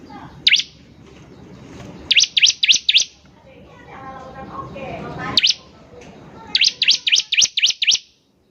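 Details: Bar-winged prinia singing strongly as a lure for other birds: a single sharp chirp, then runs of four to six high, clipped notes. Fainter chattering sounds are heard in between.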